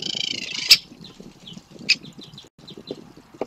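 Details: Begging of young great spotted woodpeckers being fed: a loud, buzzy, harsh call at first, then a sharp knock and a run of soft high chirps, over low rustling.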